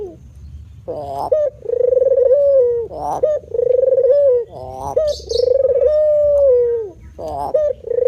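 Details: Persistent manggung cooing from a male spotted dove: sustained mellow coo notes alternate with short husky, rising accent notes, about three cycles, with a faint high chirp in between.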